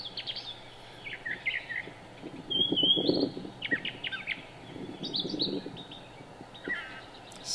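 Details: Brown thrasher (Toxostoma rufum) song in a park in Cabarrus County, North Carolina, on 13 March 2017: varied, rich phrases of whistles, chirps and harsh notes in quick succession, with steady wind rushing underneath.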